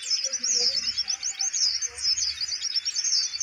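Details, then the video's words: Caged kolibri ninja, or Van Hasselt's sunbird, unfazed by its cage being gripped, delivers a rapid, high-pitched jumble of squeaky trills, with faint low knocking sounds underneath. "konin mental bagus,kandang dipegang tetap bunyi"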